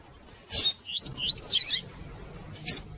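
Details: Female double-collared seedeater calling to encourage males to sing: a sharp high chirp, two thin rising whistled notes, then a loud buzzy squeaking burst and a final chirp.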